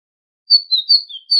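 A tit sings a quick run of four thin, high whistled notes, each sliding slightly downward, after a brief silence. No other sounds are heard.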